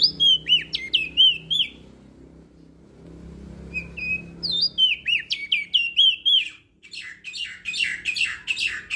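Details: Lombok crested white-eye in full song for tutoring quiet birds: clear whistled phrases of quick up-and-down notes, a short lull, then renewed rapid whistles shifting into busy, buzzy twittering.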